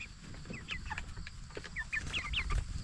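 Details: Several Jumbo Cornish Cross broiler chickens, 44 days old, raised for meat, utter soft short downward chirps in loose succession, a little louder toward the end, against a low steady hum.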